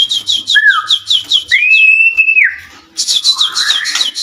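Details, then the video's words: White-rumped shama song used as a lure to provoke other shamas into answering: rapid high repeated chips interspersed with long clear whistled notes, one sustained level whistle sliding down, then more fast chatter. "Suara murai batu gacor AMPUH buat pancingan murai batu agar emosi LANGSUNG NYAUT"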